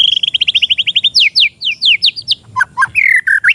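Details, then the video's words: Untrained oriental magpie-robin used as a tutoring lure. A fast, high trill of repeated chips gives way to sharp downslurred whistles, then varied squeaky notes and a long wavering whistle. "MASTERAN ATAU PANCINGAN BURUNG MURAY BAHAN"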